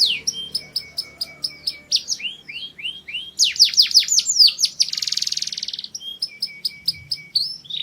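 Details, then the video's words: Canary's mating song with rows of short chips, curving rising whistles, a burst of loud downslurred notes and a fast buzzy rattle before more chips. "Canario cantando para el apareamiento Singing canary for mating"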